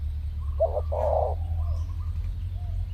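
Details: Spotted dove (tekukur) lured in the wild during a presumed mating season, birds coming in pairs; one short cooing phrase of a brief note then a longer hollow coo, followed by faint softer notes and low rumbling background.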